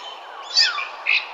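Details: Birds in a park in the morning: two bright high chirps, one sliding downward then a short buzzy note, over a steady hiss of background noise.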